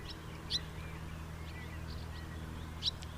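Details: Two distinct high, sharp house martin chirps with soft twittering between them, over a low continuous hum.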